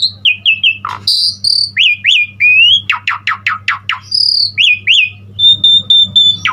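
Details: Lively, richly varied Asian pied starling song used as a tutor to prompt other starlings to sing. Bright whistles and upslurred notes alternate with a rapid run of harsh buzzy strokes, then long steady whistles, over a faint low hum.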